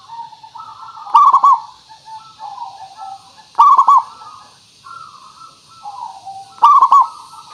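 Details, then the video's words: Zebra dove, local perkutut singing as a lure to draw a reply; three loud trilled coo bursts spaced about two and a half seconds apart, linked by softer wavering cooing notes. "Suara Pancingan Burung Perkutut Pikat Paling Bagus Supaya Bunyi"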